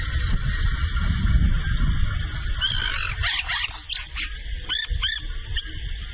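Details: Yellow-rumped cacique (xexéu) calling noisily: after low rumbling noise, a quick run of high, arched, whistled and chattering notes, followed by two more looping whistles, over steady background hiss.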